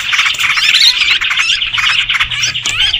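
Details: Sooty-headed bulbuls chattering excitedly in a lure recording meant to attract birds: a thick jumble of harsh squawks and quick looping notes, loud and unbroken.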